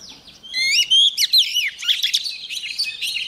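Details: White-rumped shama, a female singing to excite males into song, gives a rapid rich run of whistled, slurred notes and quick chirps, loud and continuous after a brief opening note.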